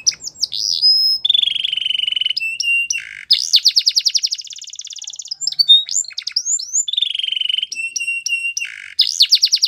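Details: Training song of a Belgian canary, loud and continuous: steady held whistles, quick repeated rising notes and dense rapid trills alternate, with short chirped phrases linking each section.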